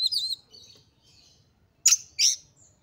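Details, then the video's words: Excited Oriental magpie-robin, said to be a female in breeding condition, used to spur other magpie-robins into song: a high warbled phrase, soft trailing notes, then two loud harsh rasping bursts close together over quiet background hum. "KACER GACOR FULL EMOSI TINGGI// JOSS UNTUK MENDONGKRAK KACER LAIN AGAR CEPAT EMOSI DAN GACOR FIGHTER"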